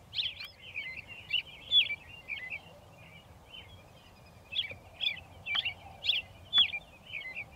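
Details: American robin (Turdus migratorius) perched on railroad ties beside a railway in Shiloh, Illinois, near dusk on 6 April 2024, gives short, sharp chirping notes at an uneven pace, some bunched together, over a faint, steady outdoor hum.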